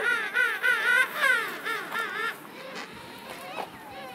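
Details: King penguins at Salisbury Plain, South Georgia, a colony of about 500,000, trumpet in loud, wavering, warbled bursts in quick succession, then fade into a steady murmur of many birds calling.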